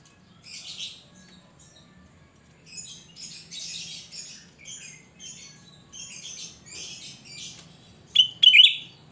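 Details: Cucak rante, an untrained bird in steady song used as a lure: several bursts of scratchy, buzzy chattering, then a loud shrill piercing phrase near the end.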